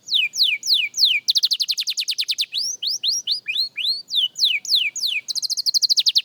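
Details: Young canary practising its song as a beginner: series of clear down-slurred whistles at about three per second, then a fast even trill, upward-curving notes, more sweeping whistles, and a closing rapid trill.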